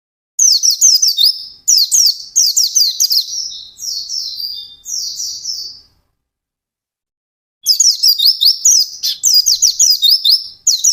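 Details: White-eye in fast ngalas song, singing intensely: loud, very high, chattering phrases of quick down-slurred notes, softer drawn whistles, a pause of about two seconds, then renewed rapid bursts.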